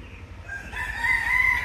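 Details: Rooster kept beside peacocks at Dulahazara Safari Park, Cox's Bazar, Bangladesh; a short crow rising into a long, level, strained note, with faint background murmur.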